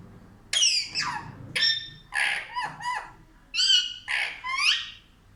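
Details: Child-like chatter from a pet parrot indoors: several high, squeaky, falling syllables and short word-like phrases, each under a second, with brief silences between.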